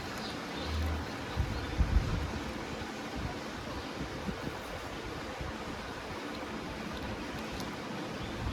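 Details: Steady roaring wind with low thumps from microphone buffeting early on.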